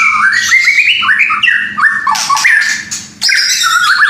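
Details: White-rumped shama song for stimulating breeding desire in a new pair not yet producing young. Loud, rich whistled phrases slide up and down in quick varied notes, with a brief dip before a final burst of high whistles.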